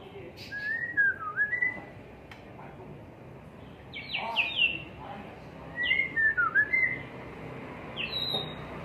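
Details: White-rumped shama in a cage on a terrace delivering varied whistled phrases in bursts, with slurred rising and falling notes and occasional high thin whistles, separated by short pauses.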